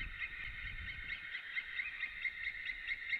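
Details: White-tailed eagles calling at their nest in a Latvian forest, 18 March 2017 at 11:27, on a nest camera: a steady series of fairly faint, high yelping notes, about two a second, over low rumbling background noise.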